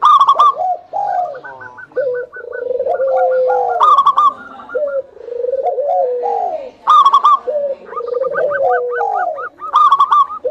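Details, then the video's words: Zebra doves of a local strain singing as a lure to prompt other doves to call: overlapping low, wavering coos with sharp, clipped, higher notes in short rapid rows, recurring every few seconds. "SUARA PANCINGAN PERKUTUT BIKIN EMOSI MALAS BUNYI IKUT NYAUT"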